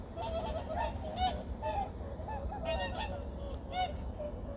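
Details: Various migratory birds calling at Junam Reservoir in Changwon, South Korea, early morning, 2019: overlapping nasal honks, some rising and some falling, repeated irregularly over a steady low rumble of background noise.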